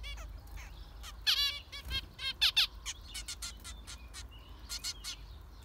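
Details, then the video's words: Zebra finches giving loud nasal, trumpet-like beeps in quick runs and pairs, interspersed with softer high chips, over a quiet background. "Zebra finchs"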